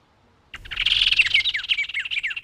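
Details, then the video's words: Bird song from the Brazilian Cerrado: after half a second of quiet, a dense, busy chatter starts, with quick downslurred whistled notes tumbling over one another and running without a break to the end. "CANTO de AVES do CERRADO BRASILEIRO"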